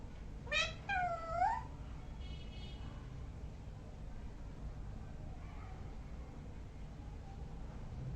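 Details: Parrot giving a quick click burst and a descending, whining harmonic call with a nasal buzzy note, then near silence with faint traces and a low background rumble.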